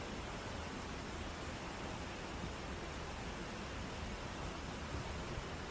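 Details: Continuous even hiss like rushing water or static fills the whole recording, with no birds or other animals audible.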